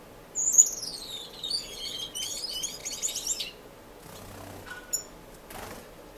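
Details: Finches in an indoor community aviary in Edmonton, Canada, not breeding, filmed in March: a loud sharp chirp opens a descending buzzy warbled phrase lasting about three seconds, followed by scattered soft chirps and rustling.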